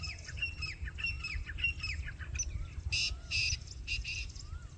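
Black francolin gives loud, harsh grating bursts in quick succession, after a run of thin chirps and sliding whistles from other birds, over a low rumble of wind.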